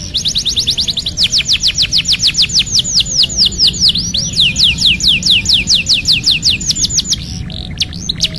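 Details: Canary singing as therapy for a bird that has gone quiet: a long, steady series of bright descending whistles, roughly two or three per second, ending in a short scratchy flourish.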